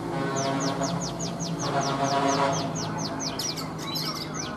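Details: Oriental magpie-robin in a cage, an old wild-caught bird with three seasons caged, morning singing: a rapid even train of high downslurred notes, roughly four per second, ending in mixed chips, with a low hum throughout.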